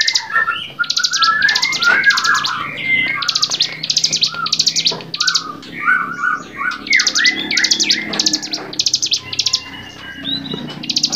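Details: Prolonged bar-winged prinia singing on a songbird training recording: steady high buzzy trills repeated almost continuously, with varied whistled and chattering notes woven between them in a lower register.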